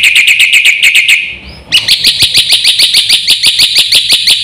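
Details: Black-winged myna singing in the lively full-isian style meant to rouse other birds: a fast train of sharp, buzzy notes about three per second, a brief pause with a rising whistle, then an even quicker, higher chattering run.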